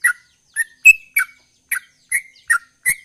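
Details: Sooty-headed bulbul singing in the chattering gacor ropel style, which is said to draw a quick response. Short liquid chirps sound with sharp high ticks, spaced irregularly, about eight notes in three seconds, some notes slurring upward.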